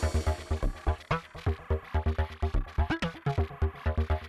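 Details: Electronic dance music with a pounding regular beat and synth chords, no animal sounds.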